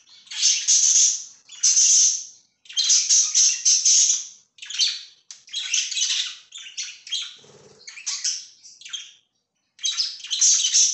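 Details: Budgies kept as pets, recorded 24 September 2024, chirp and warble loudly in long bright bursts of scratchy, buzzy notes. A brief low knock is heard midway, and a short pause comes before the final burst.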